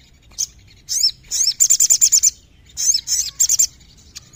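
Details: Sooty-headed bulbul song: bursts of bright, high chirping notes, some swept and slurred, then a quick run of six evenly repeated sharp notes, followed by more chirpy phrases, over quiet low background.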